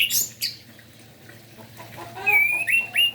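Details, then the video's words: Orange-headed thrush singing in the morning, used to stir other orange-headed thrushes into song: brief high whistled phrases, a sharp note at the start, then sliding whistles near the end with quieter chatter between. "Anis merah Gacor Pagi hari - Merangsang emosi dan Birahi Anis Merah"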